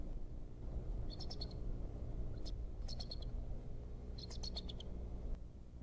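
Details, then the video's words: Male bald eagle of the Decorah pair alerting on 26 February 2014, possibly pursuing an intruder, soon after the first egg. Three quick runs of high, squeaky chattering notes, each a few rapid pips, over a persistent low hum. "Dad gives alert. Pursued Mom an intruder???"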